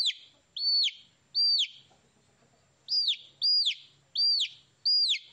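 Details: Baby chickens peeping in two groups of high, downward-sliding notes, with a quiet gap between them and a faint low hum.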